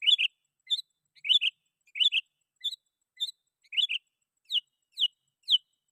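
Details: Sooty-headed bulbul in lively full song, calling rivals and used as a lure for wild bulbuls: short bright whistled phrases of two or three slurred notes, repeated about every half second, with no other sounds.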